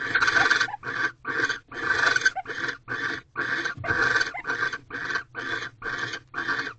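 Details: Nighttime barn owl pair mating in a Corral owl box, 2/18/23, 7:46 pm, male bringing a second mouse; series of harsh hissing screeches, first bursts longer, then shorter rasps about twice a second.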